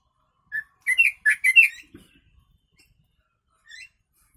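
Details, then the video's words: Yellow-vented bulbul song with imitated sooty-headed bulbul (kutilang) phrases, used for training birds: a lone opening chirp, then a quick cluster of bubbly, warbled notes over about one second, and a faint short note after a pause. "Trucuk Isian Kutilang"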